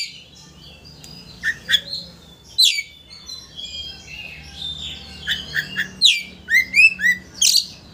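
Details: Oriental magpie-robin singing to stir a rival's emotions until it opens its tail; varied phrases of sharp sweeping notes, whistles and quick upslurred chirps, growing denser toward the end.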